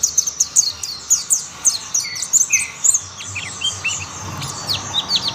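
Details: Mountain white-eyes singing as other mountain white-eyes soon join in. Rapid, thin, high chirps and twitters overlap from several birds, with two short lower notes near the middle.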